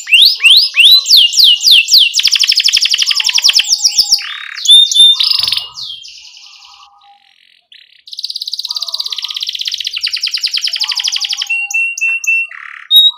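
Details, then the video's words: Lively canary singing chirps and rolls, meant as a tutor recording for young birds just learning to sing: fast repeated high notes and dense trills, a fading stretch near the middle, then renewed rapid rolling trills and sharp whistles. "Kenari Gacor CUIT Cuit Ngerol Buat MASTERAN Kenari PAUD Baru Belajar Bunyi Supaya Langsung NYAUT"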